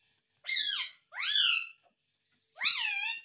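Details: Pet talking parrot giving three loud, shrill harmonic squawks, each about half a second long, rising then falling in pitch, separated by short silences.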